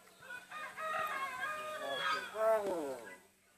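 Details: Talking hill myna uttering a greeting (salam): a short, voice-like phrase of harmonic, syllable-like sounds rising and falling in pitch, ending in a stronger drawn-out syllable, fairly quiet with a steady low hum behind.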